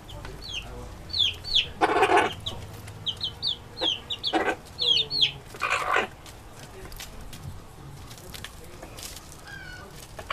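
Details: Chickens eating and making noises: short squeaky descending notes in quick runs, soft clucks, and several loud broad thumps or rustles during the first six seconds, then quieter background noise with occasional faint peeps.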